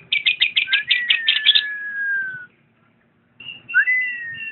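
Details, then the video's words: Lovebird singing: a burst of rapid, shrill chattering notes runs under a long whistle that slides slowly downward. After a short pause, more high chirps follow and a second whistle swoops upward and then levels off. "Video kicau burung Lovebird"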